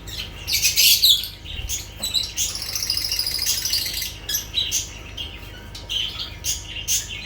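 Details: Lovebirds in busy chatter, a dense stream of shrill, rapid twittering notes with louder harsh chirps at the start.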